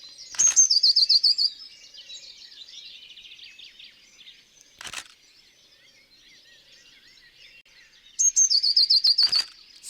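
Eurasian blue tit singing two short phrases, each of thin, very high notes running into a rapid silvery trill. Faint twittering and a few sharp clicks fill the gap.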